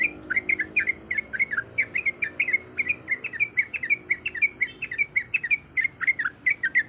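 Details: Yellow-vented bulbul female in breeding condition calling the male, a steady fast stream of short liquid, down-slurred notes, roughly three a second over a faint low hum.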